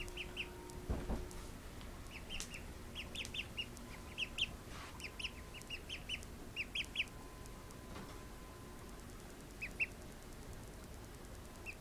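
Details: Baby call ducks just awake from a nap give high, short peeps in quick scattered runs, several overlapping at once, over a steady low background hum, with a few soft knocks and a person's brief speech.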